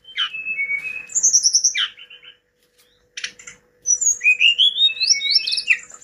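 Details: Hill blue flycatcher in active song: falling whistles, a steady series of short repeated notes, a pause, then a long rising ladder of rapid whistled notes, over a faint hum.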